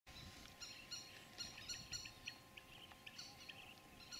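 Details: Indian thick-knee chicks in the nest on a small island in the Mekong River near Koh Preah, below Stung Treng, Cambodia, giving rapid, repeated high thin calls in irregular bursts over a steady background hum.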